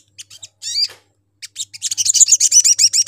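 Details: Lure call of a sogon intended to bring in other sogon: a few thin chirps and a buzzy slurred note, then a fast, regular series of high buzzy notes about four per second, with a faint hum.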